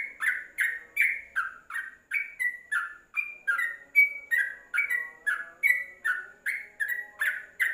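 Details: Caged yellow-vented bulbul under a cage cover, recorded as tutor song: a run of clear, slurred whistles that alternate between higher and lower pitch, repeated about every third of a second.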